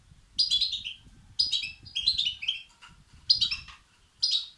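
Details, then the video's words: European goldfinch nestlings begging, used to stimulate males: five loud bursts of high, buzzy chirps, each a rapid string of descending notes, separated by short pauses, with faint low noise beneath. "بتبتة وستستات فراخ الحسون الأقوى لتحفيز وتهييج الذكور"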